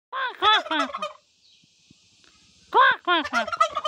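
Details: Domestic turkey hen in a village in Nepal giving loud repeated "kor kor kor" calls: a burst of harmonic, arching notes, a pause of about a second and a half, then another rapid series.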